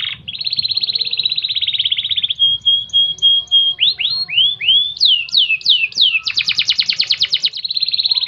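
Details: Canary tutor song, 'gobat gabet' style, for getting birds to sing: a long rolling trill, repeated pure tones, rising and dipping whistled sweeps, falling high slurs, then a loud dense rattle and another trill.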